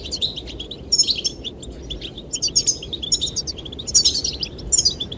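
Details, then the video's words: Goldfinches singing to attract the female: short bright bursts of tinkling, high chirps roughly once a second, separated by quiet gaps filled with wind. "the chirping of goldfinches"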